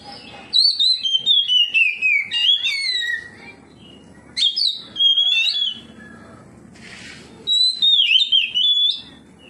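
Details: Oriental magpie-robin in full song, answering another magpie-robin, with loud ringing whistled notes that slide downward, rich varied phrases delivered in three bursts, and short quiet pauses between them.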